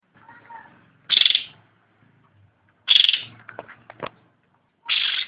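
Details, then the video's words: Cucak ranting giving three loud, broad, rasping bursts, with soft ticking and low rustles between them. "Suara asli cucak rante / ranting gacor"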